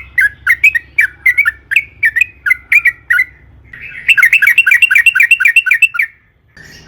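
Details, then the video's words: Sooty-headed bulbul song: steady bouncing whistled notes about four per second, then a denser, louder burst of rapid rolling phrases, ending abruptly after a brief quiet gap. A low background rumble is heard throughout. "suara burung trucukan gacor"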